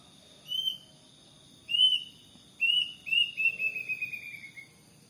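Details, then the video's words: Plaintive cuckoo, a morning caller outside a house: two spaced rising whistles, then a quickening run of whistled notes that step steadily downward in pitch and fade, with a faint low rumble behind. "Suara burung kedasih"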